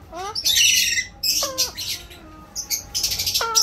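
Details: Talking Alexandrine parakeet kept as a pet, giving brief word-like utterances with steady and rising tones between loud rasping screeches, ending in a clear flat-toned syllable.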